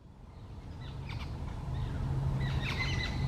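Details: A group of jungle babblers in an office back garden in West Bengal, India, gives squeaky, chattering notes in two quick overlapping bursts over a steady low background rumble.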